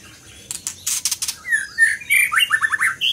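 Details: Scarlet minivet singing a string of bright whistles that speed into rapid down-slurred notes and end on a higher note, after a few loud clicks at the start.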